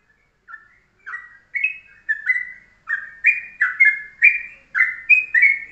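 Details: Yellow-vented bulbul, morning master song in short tight style for training other birds: soft opening notes building into a lively string of rising and falling chirruped notes, clear recording.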